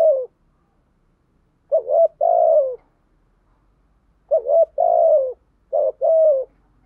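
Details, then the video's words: Calling to provoke rival doves, a decoy spotted dove repeats low, rhythmic coo phrases. A clipped note is followed by three phrases, each a quick wavering lead-in and a drawn-out, gently descending coo. "chim cu mồi thúc gù bài bản nhất hiện nay, chim cu gáy kích bổi hiệu quả nhất hiện nay"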